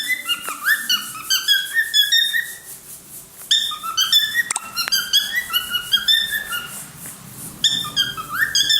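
A cockatiel sings a run of clear, bright whistles that slide up and down in quick phrases.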